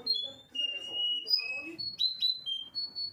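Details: Canary singing a chain of clear, drawn-out whistled notes that step between higher and lower pitches, with short gliding slurs. Low murmuring voices sound underneath.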